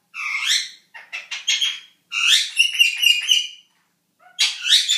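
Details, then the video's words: Eight-month-old male Indian ringneck parakeet kept as a pet, making noises in the shower while practicing talking: rough, buzzy squawky bursts and quick chirps in three bouts separated by short pauses. "Indian Ringneck talking up a storm!"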